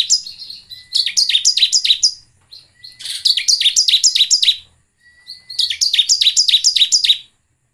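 Bar-winged prinia singing in three bursts, each a fast run of about six sharp, descending chirps, high and bright, with a thin whistle between phrases.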